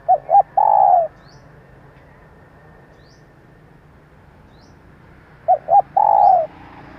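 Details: Lure call of a female spotted dove: a phrase of two quick short notes and a drawn-out descending coo, repeated once after a long pause, with a steady low background hum.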